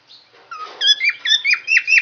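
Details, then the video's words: Yellow lovebird with raised head feathers singing: a soft squeaky onset, then a fast series of bright, sharp chirping notes repeated about four times a second, each note dropping quickly in pitch. "Love Bird Singing"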